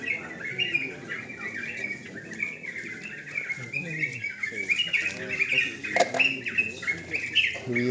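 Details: Night singing contest of sooty-headed bulbuls, several birds pouring out continuous choppy, warbling phrases that rise and dip, with low voices of people and occasional knocks in the background.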